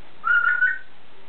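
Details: Pet grey parrot, a bird with a richer vocabulary that did not feel like talking much, gives a single clear, steady whistle lasting under a second, slightly wavering in pitch, in a quiet room.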